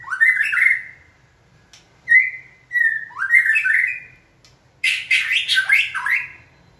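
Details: White-rumped shama in song training, stimulated by a person's cue to sing: rich whistled phrases sliding down and up, followed by a louder, harsher burst of rapid mixed notes, with short pauses between phrases.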